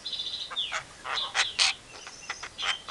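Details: Javan myna mimicry of a hen calling chicks, Asian pied starling and a hungry civet: a thin whistle slides downward, followed by harsh, broad screechy notes and squeals separated by brief pauses.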